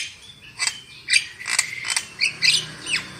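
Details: Javan myna lure recording meant to prompt other birds to sing loudly: a quick run of harsh, scratchy notes mixed with short whistled slurs, one falling whistle at the end.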